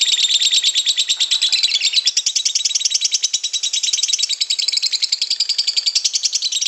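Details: Lovebird with white beak delivering extended ngekek song, a continuous high rattling trill of rapid pulses that swells and dips in loudness but never stops across nearly seven seconds.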